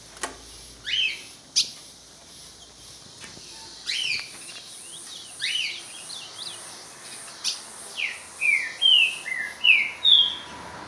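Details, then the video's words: Ultramarine grosbeak (azulão) singing right at a rival, with other birds also singing; scattered clear, slurred whistled notes at first, then a run of louder, sharply descending whistles about twice a second toward the end. "Azulão dando show na cara do outro"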